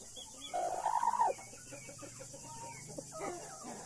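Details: Blue mother hen with Australorp and Brahma chicks: one louder drawn-out rising and falling call about a second long, then soft scattered clucks and faint chick peeps.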